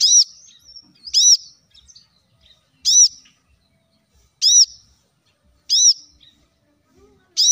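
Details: Plain-throated sunbird, known locally as kolibri kelapa, singing in a recording meant to prompt other birds into song. Six bright, high arched notes are spaced roughly every one and a half seconds against a silent background.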